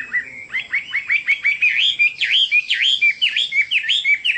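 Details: A Chinese hwamei delivers rapid repeated whistled notes, roughly two per second, each a bright V-shaped up-and-down slur, building into a lively, ringing rhythmic series.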